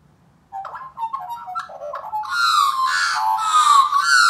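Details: Captive rescued Australian magpie at a native wildlife rescue in a sing-off with a local wild pair: warbling, yodelling notes that grow into loud, rich carolling with rising and falling slides.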